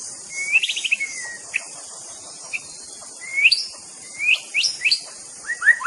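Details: White-rumped shama (murai batu) song: a quick trilled run of clear whistles, then isolated sharp notes and rising whistled phrases in short bursts, over a steady high insect hiss.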